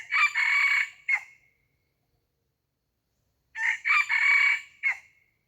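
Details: Two crows from a red junglefowl kept as a decoy for luring wild birds, about three seconds apart. Each is harsh and ragged, with a quick first syllable, a drawn-out rasping centre and a short tail note, against silence.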